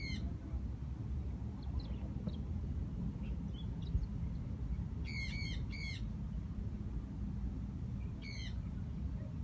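Bourke's parrot giving short, bright, harmonic chirps, singly and in quick pairs, a few seconds apart, over a steady low rumble.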